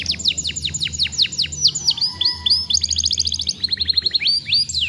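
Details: Young canary singing to stimulate other young canaries to sing. High, fast song of repeated downward-sweeping whistles, then rapid trills and buzzy rolls, over a low steady hum.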